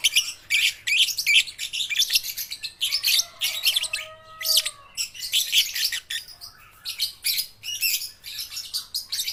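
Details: Baby and juvenile (balibu) lovebirds used to coax quiet lovebirds into singing. Long runs of rapid, high, scratchy twittering in bursts, with several clear, lower, level whistles in the middle and brief pauses.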